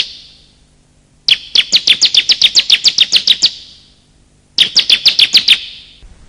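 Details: Bar-winged prinia lure calls of male and female, used to trap wild birds or stir quiet ones: long rattling run of about fifteen sharp high notes, then a shorter burst after a pause.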